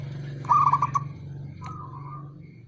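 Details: Local male zebra dove calling to provoke rivals: a single loud, quick, trilled coo burst followed by a softer drawn-out coo, over a strong low hum.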